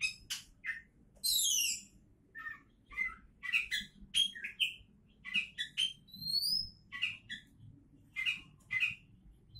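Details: Oriental magpie-robin described as a champion candidate, delivering a lively varied song: clear short whistles, downward-sweeping high notes, a rising high whistle, and scattered raspy chips, phrases every half-second or so over a low steady hum.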